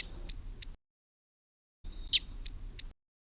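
Wilson's Warbler giving sharp, high, dry chet notes, single and spaced about a third of a second apart, in two short bursts with a quiet pause between.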